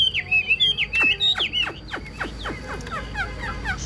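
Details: Chinese hwamei singing bright whistled notes that lead into a series of steeply falling whistles, roughly three per second, then softer repeated chips.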